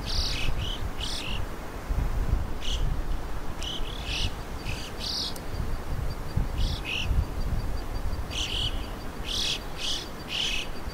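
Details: Red-billed chough in the wild in Morocco giving repeated sharp, high, clipped calls, often in pairs or runs of three, with a busier cluster near the end, against constant low wind noise.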